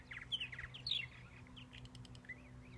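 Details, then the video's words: Purple martin song: quiet gurgling chirps and short warbled notes with rising and falling slurs, over a steady low hum. "More Purple Martin song"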